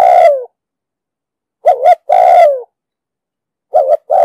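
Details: Loud, close spotted dove coos in the 'dong sam' voice, used for trapping and decoy training: a long falling coo, then a double note and another long coo, with a further double note and coo at the end.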